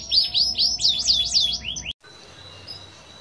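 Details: Canary singing a showy, varied song in the style called cengkok mewah: a fast run of high, looping whistled notes, ending abruptly, followed by a quiet background.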